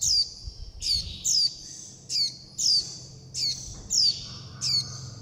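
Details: Juvenile warbling white-eyes begging and calling their mother and flock: high, thin, downslurred squeaks repeated steadily, a little under one per second, over faint low background noise.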